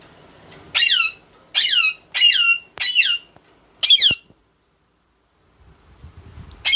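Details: Male and female ringneck (Indian parrot) kept as pets: five loud, harsh, downward-sweeping screeches about a second apart, then quiet with faint low background noise, and another screech at the end.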